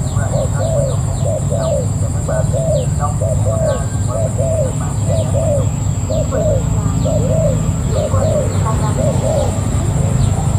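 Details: Spotted dove kept as a decoy, a wild-caught bird, giving a long run of evenly spaced mellow coos in a rhythmic, paired pattern. Faint high chirps from other birds come in above, with a continuous low hum underneath.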